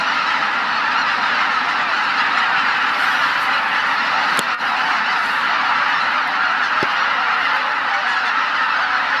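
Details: Massed waterfowl calling on Christmas morning at Izu-Numa in northern Miyagi, Japan, tens of thousands present in winter; a continuous wall of overlapping honks, with one sharp click near the middle.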